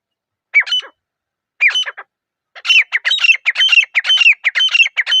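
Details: Grey francolin calling: two separate harsh, squawky phrases, then a fast run of loud repeated grating notes with a shrill ringing overtone. The background is clean and silent between calls.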